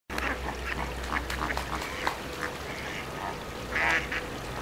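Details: Greater flamingos at WWT Martin Mere, Lancashire, giving a steady stream of short, nasal, goose-like honks and grunts from many birds at once, with a louder harsh burst near the end over a low background hum.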